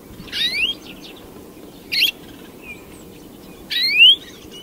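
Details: European greenfinch delivering three harsh buzzy notes, the last a long loud rising wheeze, with brief faint twitters in between and low background hiss.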